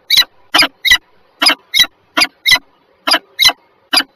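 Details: Two peregrine falcons at Żerań, Warsaw, Poland, recorded 14 February 2023 at 7:47 in the morning: eleven harsh, rasping notes with a buzzy, banded tone, irregularly spaced across four seconds, with a faint low hum behind.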